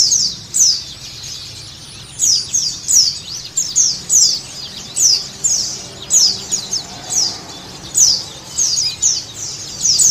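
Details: White-eye song used as a lure to get captive white-eyes singing: very high, thin twittering phrases in quick bursts, about two each second, over faint background hiss.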